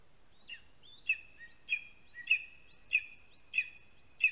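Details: Begging lesser spotted eagle chick, perched on a branch below its spruce-tree nest in Latvia while a parent brings prey, July 2020; seven upslurred shrill whistles, one about every 0.6 seconds, each with a trailing note.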